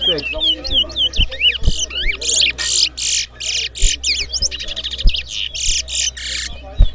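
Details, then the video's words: Towa towa bird singing in a whistling competition between two birds: dense, rapid bursts of bright whistles and buzzy trills, sweeping up and down, nearly continuous, with low thumps in the background. "Bella Towa Towa Bird Whistling Competition! Who Whistles Best?"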